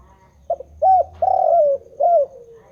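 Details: Spotted dove in continuous song, one phrase of soft lead-in notes, an arching coo, a long vibrating burred coo and a downslurred end, over a faint low hum.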